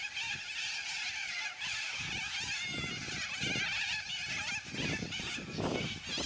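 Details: Yellow-crested cockatoos in a noisy flock, a dense wall of rasping, overlapping screeches that barely pauses, with scattered low knocks and background rumble.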